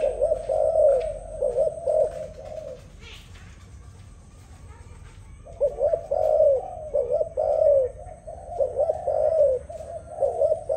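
A dove coos in soft, low, rolling phrases, a burst of about three seconds, a pause, then a longer run of repeated coos; a faint steady hiss underneath.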